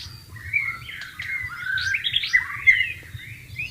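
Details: White-rumped shama singing in the wild beside flowing water: a fairly quiet, varied run of sliding whistles and short chirps, mostly mid-to-high pitched, with a soft low rumble underneath.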